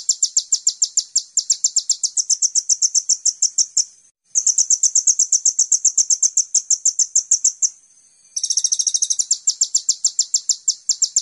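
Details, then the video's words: Energetic kolibri ninja (Van Hasselt's sunbird) master song for training songbirds: extended, fast strings of high chirps with two brief pauses, the final phrase starting with a buzzy trill. "Pancingan Konin Full Gacor Tembakan mewah"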